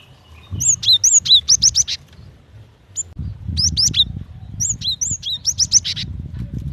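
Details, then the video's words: A female cinereous tit calls to a male with rapid strings of high, thin whistled chirps, six or seven notes per burst, pausing between bursts, over a steady low hum. "Suara gelatik batu betina"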